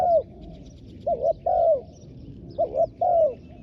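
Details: Ground decoy spotted dove calling to wild doves: two clear phrases, each a short double-toned note leading into a longer descending coo, low-pitched and unhurried.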